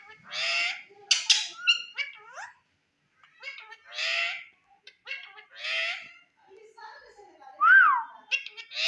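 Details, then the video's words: A talking Indian ringneck parakeet chatters in raspy, speech-like phrases and harsh squawks in short bursts, with brief pauses and a sharp rising whistle near the end. "Indian Ringneck Parrot Talking"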